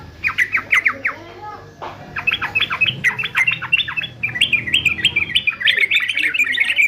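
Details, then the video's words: Male yellow-vented bulbul of fighter type, recorded to train singing birds: a short burst of sharp notes, a click, then a lively babbling chatter building into a dense warbled run. "TRUCUKAN JANTAN FIGHTER ANTI BISU"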